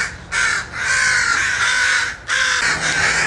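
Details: Two long, drawn-out raspy caws from crows on a West Hollywood street, each harsh and sustained for over a second, with steady background noise underneath.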